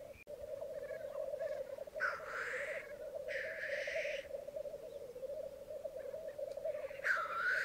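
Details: Black grouse lekking on a bog at Mykland on a May morning in 2022, with twelve cocks and two hens present; steady low bubbling cooing runs throughout, broken by loud hissing sneezes.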